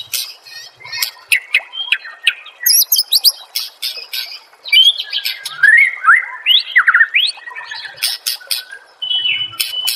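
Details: White-rumped shama singing on a master recording for training songbirds: sharp clicks and ticks alternate with fluid, rising and falling whistled phrases and a lively, varied chatter.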